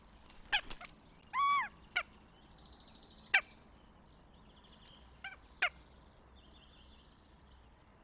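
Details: Northern goshawk at its nest in Tartu, Estonia, on 26 April 2025: a brief burst of about five rapid, nasal, harmonic notes, with sharp knocking clicks scattered around it and thin songbird calls in the background.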